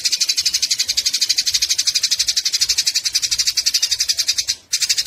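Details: Fighting Eurasian tree sparrows chatter in a rapid, rasping run of high chirps, steady at roughly four per second, with a brief break near the end before the chatter resumes; material used as a songbird tutor recording.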